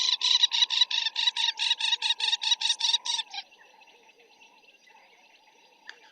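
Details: An African jacana, recorded on a birding safari in southern Africa, gives a fast, harsh chattering series of rasping notes, a call meant to intimidate or warn.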